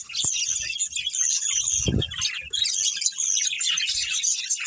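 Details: Budgerigar breeding pair in a family group, kept birds: dense, continuous chatter of high twittering and warbling notes with no pauses, plus a low thump near the second mark.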